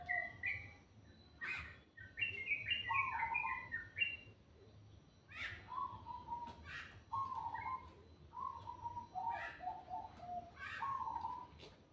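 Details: Bird singing in the morning: short whistled notes stepping between low and higher pitches in broken phrases, with occasional sharp high chips and a faint low hum underneath.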